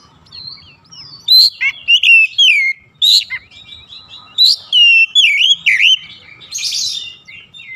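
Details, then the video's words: Oriental magpie-robin singing varied whistles: slurred up-and-down notes, crisp chips and a short scratchy burst near the end, in quick uneven phrases with soft gaps between them. "Kacer ngedrop macet bunyi sekali dengar langsung gacor"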